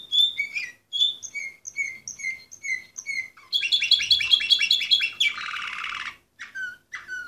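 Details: Orpheus breed canary, bird number 24 from 2014, sings a string of separate bright notes about three per second, then a fast rolling trill, a broad buzzy burst and a few spaced closing notes.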